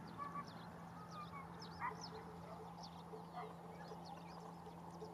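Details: Flamingos (Greater flamingo) at Barragem da Marateca, November 2022, give scattered nasal honks, louder ones near two and three and a half seconds, over a murmuring flock, a steady low drone and faint high chirps.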